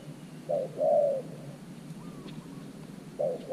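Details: A decoy spotted dove calls near an earthen trap cage to lure wild doves. One clear short-then-long coo, a pause with soft background, then another call begins at the end.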